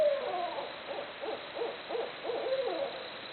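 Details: Barred owls hooting: a long sliding note opens, followed by a steady series of short, evenly spaced cackling hoots and another smooth note near the end.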